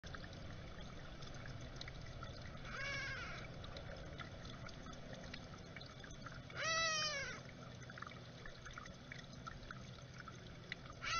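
A gray catbird gives two nasal, cat-like mews, slurred and harmonic, about four seconds apart, the second louder. A steady hiss like trickling water runs underneath.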